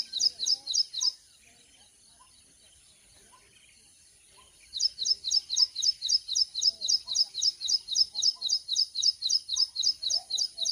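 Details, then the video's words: Oriental magpie-robin repeats a sweet, high whistled phrase about four times a second, with a pause early on, over a steady high insect hum. "Oriental Magpie -Robin : A beautiful songbird , known for its sweet morning calls"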